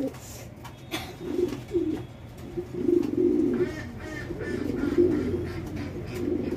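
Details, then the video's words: Domestic fancy pigeons at a pigeon farm in Bangladesh cooing in broken, muffled low bursts, several birds calling with gaps and faint clicks between. "Mothers pigeon lover| Top fancy pigeon."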